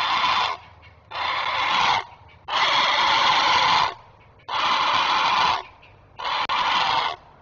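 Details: Great blue heron parent alerting while guarding its young at the nest, filmed by a nest webcam: five long, harsh, raspy squawks, each about half a second to one and a half seconds, with short gaps between.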